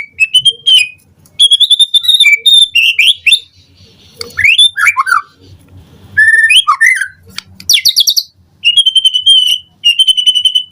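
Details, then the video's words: White-rumped shama morning song meant to draw answering calls: varied phrases of steady whistles, swooping slurs and dense rapid note bursts, repeated in loud bouts with short quiet breaks and a faint low hum. "Pancingan Murai Batu PAGI HARI EFEKTIF Bikin NYAUT RESPON Suara Burung Murai Jadi Gacor Full Isian"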